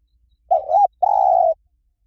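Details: Spotted dove in the Liw Tan song style, played to lure a dove and train it to answer: a drawn-out wavering coo, a short gap, then a long, steady, low coo, with no other sounds.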